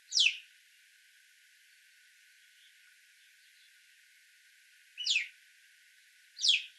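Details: Three high, thin, falling whistles from an Alpine chough: one at the start, then a long silence before two more calls about one and a half seconds apart.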